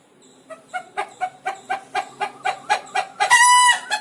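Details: Frightened pet rooster: a quickening series of clipped, nasal clucks that rise in volume, climaxing in a strident, sustained screech before one final cluck.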